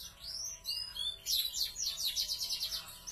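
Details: Captive big-bodied YS FOI or F1 YS canary singing: gliding whistles lead into a quick, even trill of high clipped notes, about four per second.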